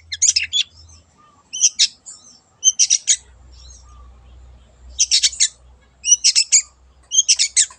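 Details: Wild long-tailed shrike in an aggressive, lively lure recording: high, scratchy chattering bursts of three to five rapid notes, repeated about every second, over a faint low hum.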